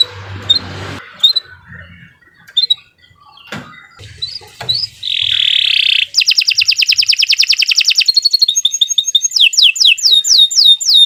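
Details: Canary in long, lively song: sparse sharp chirps, then a dense buzzy rasp, followed by fast trills of repeated notes and a run of rapid down-slurred whistles, with a faint low hum under the opening notes.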